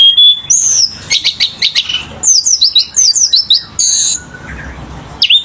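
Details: Selendang biru bird in energetic song: a thin rising whistle, a flurry of dry chirps, a string of high descending slurred notes, a buzzy burst, then a lone falling whistle.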